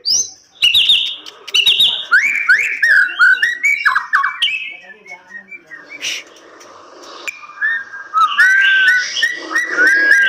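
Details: White-rumped shama kept in captive breeding, singing loud varied whistled phrases mixed with sharp clicks and fluty slurred notes, over background clatter and noise.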